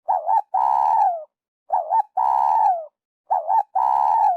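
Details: Spotted dove, call meant for luring birds to traps: three repeated phrases, each a short rising-falling coo followed by a longer steady, slightly rough coo that dips downward at its close.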